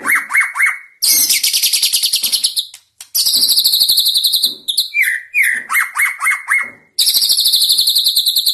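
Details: White-rumped shama delivering fighter-style song, a style said to differ from bird to bird: loud, high, rapid buzzy rattles alternating with quick whistled trills, with brief pauses between bursts.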